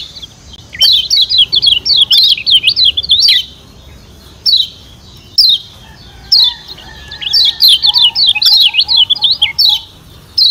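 Lemon-bellied White-eye giving high, rapid chattering bursts, each lasting one to two seconds and repeated with short pauses. A faint, lower whistled call sounds in the background.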